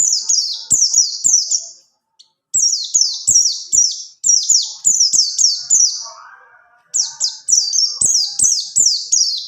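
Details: Rolling 'ngerol' song of a pleci buxtoni white-eye, kept as training material for other birds. Long runs of quick, high, downslurred whistles in rolling series, with one brief pause and a soft low chatter midway.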